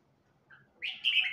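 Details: Red-whiskered bulbul of the Huế type, newly learning to sing. It gives a soft note, then a brief bright warbled phrase, mid-high and slightly rising, with no other sounds.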